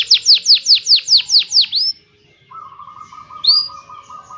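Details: Canary song used to lure quiet canaries into singing: a run of eight loud descending whistled notes, then a steady buzzy trill and a brief rising whistle.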